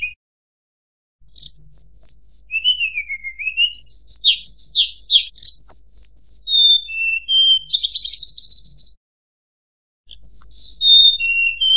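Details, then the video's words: Sunda robin pouring out a rich, varied song of high clear whistles, quick slurred notes and a buzzy trill, with short pauses between phrases. "PANCINGAN SUARA BURUNG TLEDEKAN"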